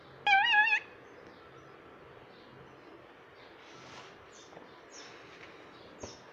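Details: Pet parrot talking: a short, loud, wavering voiced utterance of about half a second near the start, then a quiet room with faint scattered clicks and a soft tap near the end.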